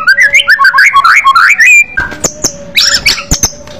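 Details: White-rumped shama, a fighter bird in aggressive singing style: a quick string of rising and falling whistled notes, then scattered sharp high chips and squeaks over a faint steady hum.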